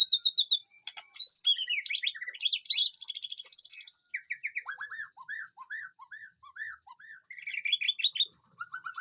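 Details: White-rumped shama singing in a backyard garden aviary, a rich, varied performance of sweeping whistles, a long fast high trill, then a series of repeated arched whistled notes and rising slurs.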